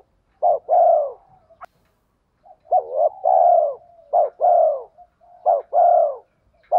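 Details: Spotted dove coo in the 'thổ pha đồng' style, meant to excite decoy birds into fast cooing: four steady phrases, each a brief clipped note then a drawn-out falling hoot, repeating roughly every one and a half seconds in otherwise quiet surroundings.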